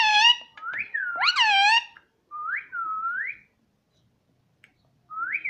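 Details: Talking pet parrot, said to say "Mummy" and "Mitthu"; harsh, harmonic speech-like syllables, then several clear whistled notes, each swooping upward, separated by silence.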